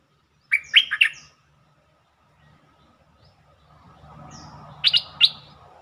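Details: Bulbul song for luring birds: a brisk warbled phrase of several liquid notes, then a low rumbling background noise rises before a few sharper, higher notes near the end.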